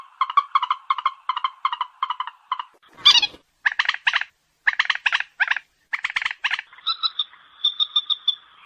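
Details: White-breasted waterhen call used as a night-time lure: series of rapid stuttering croaks in quick bursts, a short harsh rasp midway, then louder grouped notes and a closing run of fast clucks.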